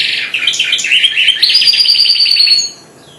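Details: Four-month-old hybrid goldfinch just beginning to sing delivers a dense burst of rapid high twitters and a sustained buzzy trill, about four notes per second, stopping near the end.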